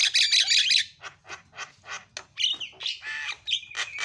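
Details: A myna (jalak kebo) sings a rapid, jumbled run of harsh, scratchy bursts mixed with a few clear whistled notes, about three phrases a second.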